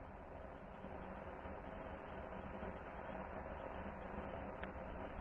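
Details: Steady broadband rumble, like traffic or machinery, runs throughout with no animal voice standing out.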